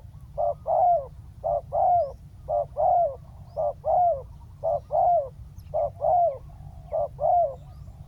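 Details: Spotted dove calling as a ground decoy to bring down a wild dove, repeating a regular two-part phrase, a brief note then a fuller drooping coo, about once a second, over a faint low drone.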